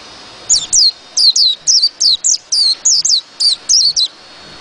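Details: A white-eye sings a rapid series of about thirteen high, thin falling whistles in pairs and singles, starting after half a second of quiet and running to the end.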